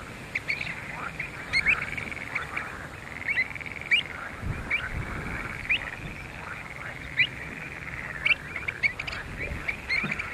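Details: Pied avocets filmed at Skanör and Falsterbo in June 2015. Short, bright, piping notes come in irregular bursts of one to three over a steady hiss, with a brief low thump near the middle.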